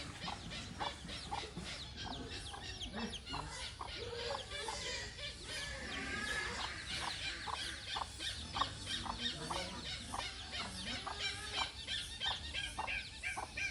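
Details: Hornbill with a long run of quick, clucking notes, roughly three per second, amid busy background noise and other faint calls.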